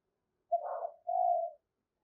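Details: Spotted dove urging call meant to draw wild doves toward a trap: a single low phrase of a brief rough burst followed by a longer smooth hollow coo, against a quiet background.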